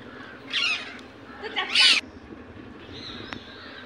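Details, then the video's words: Two strident, rasping screeches from an Indian ringneck parakeet about a second apart, the second louder, followed by a thin faint whine over background hiss. "Natural Voice of Parrot"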